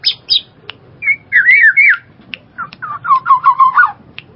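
Black-naped oriole giving fluid, slurred whistles that rise and fall, in short phrases about two seconds apart, mixed with a few sharp clicks and brief high notes.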